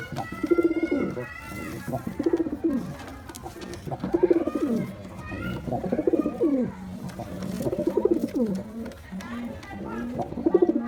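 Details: Mating call of a white pigeon during courtship, throaty rolling coos delivered in regular pulses roughly every one to two seconds, with a brief higher whistle at the start.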